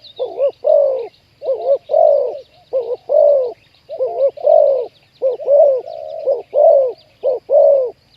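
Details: Spotted doves used to lure wild doves into a trap; a wild bird caught with a deep 'ku-ang' style voice. Deep, hollow coos come in rapid, overlapping phrases of two or three notes, about one per second, over a faint high insect hum.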